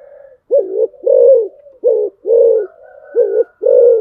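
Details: Spotted dove used as a decoy bird, cooing in pairs: a short low hoarse coo followed by a longer rounded one, repeated about every 1.5 seconds, with a faint thin higher whistle in the background.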